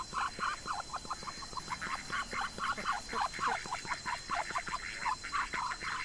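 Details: Muscovy ducks eating grass in a garden by a house; chattering short quacks tumble in fast, irregular series, rising in loudness midway, with a faint steady tone in the background.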